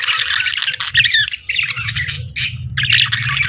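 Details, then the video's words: Budgies keep up continuous scratchy chatter and short whistled chirps, a steady low rumble running beneath the calls. "Sweet Budgie Chirping Sounds"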